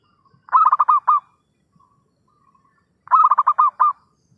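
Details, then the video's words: Zebra dove lure call used for trapping birds: two identical cooing phrases about two and a half seconds apart, each a quick run of about six pulsed, throaty notes, with near silence between them. "suara pikat perkutut gacorr"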